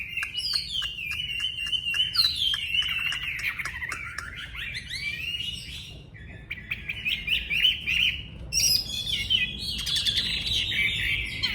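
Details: Wambi songbird in full, energetic song: dense, continuous chattering and warbling with quick rising and falling twitters, scarcely pausing, over a faint low background hum.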